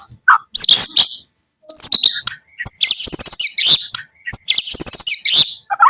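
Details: White-rumped shama of the Medan type singing in the morning: bursts of harsh, buzzy high notes alternate with short whistled phrases and brief pauses, loud and close throughout.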